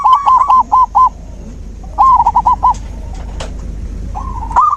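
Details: Zebra dove singing, meant to stimulate a silent dove into song: three bursts of rapid, staccato cooing notes, each a quick chain of bright, even-pitched pulses separated by brief pauses.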